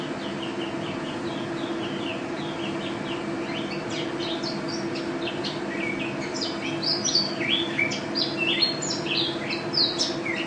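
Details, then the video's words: Mountain white-eye, national champion, singing ropel: scattered thin chirps at first, then a quickening flurry of high twittering and short slurred notes in the second half, set against a steady electrical hum. "Pleci Juara 1 Nasional pleci Gacor juara nasional teler gacor ropel pleci"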